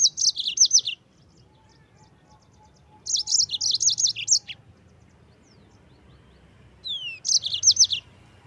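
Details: Three separate bursts of a yellow-fronted canary's rolling song, each a quick series of high, downward-flicking notes lasting about a second, with silence between; the last is introduced by a thin falling whistle. Used to train white-eyes to sing.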